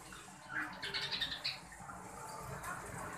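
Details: Green budgerigar breeding pair, known locally as Australian bajri parrot: a quick burst of bright, chattering chirps clustered near the middle, then quieter room hum.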